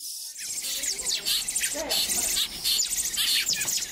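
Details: Young songbirds at a rescue centre, among hundreds taken into care in May, begging during feeding: a dense, continuous chorus of shrill, overlapping high chirps and buzzy peeps from several chicks at once.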